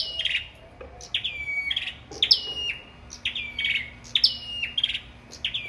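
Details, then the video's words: Competitive singing by a sâu đầu đỏ, a rapid series of bright, high, steeply falling notes ending in brief whistled tails, repeated roughly twice per second in clusters over faint background noise. "Sâu Đầu Đỏ Hót Đấu"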